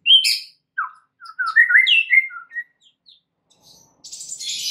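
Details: White-rumped shama song as a lure to make other shamas sing: a loud sharp note, then a jumble of quick varied whistles fading out, followed by a soft hiss.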